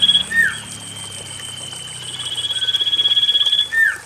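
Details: Common iora lure song for birds that will not sing: a down-slurred whistle, a long steady high tone, then an intensifying pulsed trill closing with another falling whistle, water trickling behind.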